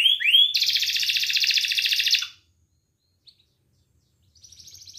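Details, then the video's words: Belgian canary singing to stimulate females: two rising notes lead into a rich rapid trill of under two seconds, then near silence with a faint trill returning at the end. "Canto Para Esquentar Canário Belga e Foguear as Fêmeas"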